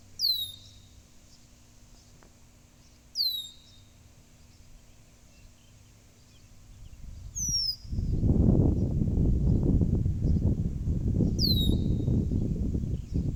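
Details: Four thin, high downslurred whistles from a blackbird, repeated every few seconds; a loud low rumbling noise, like wind or traffic, starts partway through and continues under the later calls.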